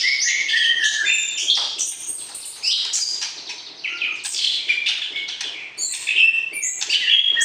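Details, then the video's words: White-rumped shama song intended to arouse a mate before breeding: dense, energetic whistles and chatter with frequent pitch jumps, sustained throughout with only a brief dip midway. "PERJODOHAN Murai Batu, PANCING Birahi Lawan Jenis"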